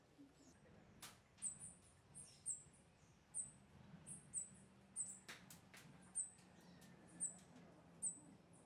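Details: Rufous-tailed Hummingbird giving very high, thin, sharp chips repeated roughly every half second to one second, faint above a steady low background hum with a few scattered clicks.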